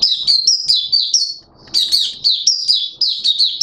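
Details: Caged Malaysian Oriental white-eye giving its 'buka' opening song, recorded 21 June 2023: bright, high whistled notes, several rising and falling, in quick bursts with a short pause in the middle.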